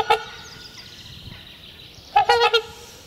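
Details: A pair of trumpeter swans trumpets in spring as part of courtship, renewing their bond, and the loud calls likely also mark territory: brassy, horn-like honks, one short note, then a quick burst of three or four nasal trumpet calls over a faint hum.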